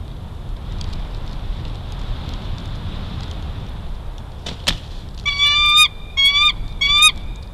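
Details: Juvenile bald eagle stealing lunch at Big Bear Valley on 5 December 2022: after a quiet stretch with a sharp knock, three loud level whistled squeals in a row near the end.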